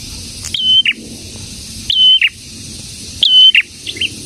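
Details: Prinia singing actively, locally named prenjak tamu or prenjak merah: three evenly spaced phrases of a rising note, a level whistle and a lower burst, followed by a few soft high chirps.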